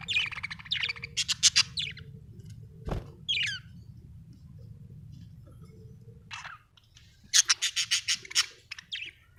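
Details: Home budgies giving rapid series of harsh, pulsed squawks, about five quick grating notes per burst, one opening run and a louder run near the end, with a single knock between.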